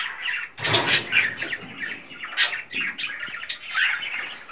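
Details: Cockatiel calls played to stimulate mating: harsh squawking notes and chattering chirps in quick succession. A broad burst of noise, like wing flapping, sounds near the start, in an indoor setting.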